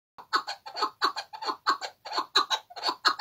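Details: Chukar partridge singing: a steady, rhythmic run of throaty, cackling chuk notes, repeated about three times a second, with no other clear sounds.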